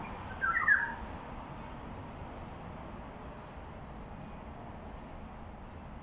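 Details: A black-naped oriole in Jurong East, Singapore, around 1 pm on 13 October 2021, with pied fantails nearby, gives one short, nasal, mid-pitched call near the start, then steady background hiss.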